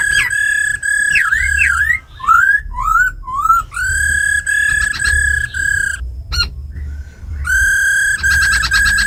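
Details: Tamed laughingthrush in a cage singing forest-voice song, with a female's rattling, meant to excite other birds: sustained bright whistles interrupted by looping slurred notes, rising phrases and a closing rapid buzzy run.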